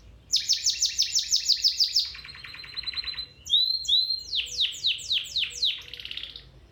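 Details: Domestic canary singing to train other canaries: a loud fast trill of repeated pulses, a lower rattling roll, clear whistled notes, then a run of descending sweeps.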